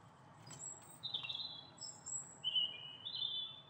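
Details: Eurasian siskin pair giving rapid, overlapping high chirps and thin drawn-out whistled notes, several in quick succession, against a low constant hum.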